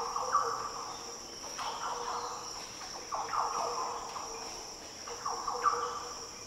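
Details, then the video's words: Green Oriole song in Daintree rainforest, northern Australia: short, mellow, fluty phrases at intervals, moderately clear over a constant high-pitched insect hum. "Green Oriole Sounds - The deep, liquid calls & song of Green Orioles in the Daintree rainforest."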